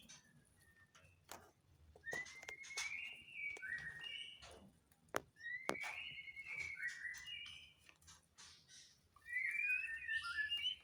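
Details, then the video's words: White-rumped shama kept for breeding, recorded in mating season while in breeding condition: repeated phrases of rising whistles and warbled notes every few seconds, with scattered loud clicks and knocks. "MURAI MUSIM KAWIN & KICAU MURAI BATU BIRAHI"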